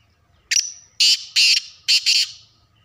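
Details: Loud black francolin call: a brief note with a high whistled tail, followed by four harsh, rasping broadband bursts, the last two close together; quiet low hum in the background.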